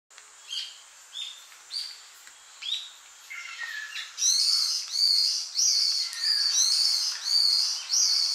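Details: A Ryukyu brown-eared bulbul on Miyako Island gives high, shrill slurred notes about every half second, then breaks into a loud, harsh, buzzy run of repeated screeches.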